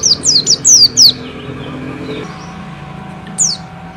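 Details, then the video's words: White-eye of the bustomi type in a short burst of five sharp, high falling notes, then more than two seconds of quiet before a single note returns; a low hum continues throughout. "SUARA BURUNG PLECI BUSTOMI GACOR NGALAS NEMBAK NGOTOT BIKIN GACOR LAWAN SALING NYAUT"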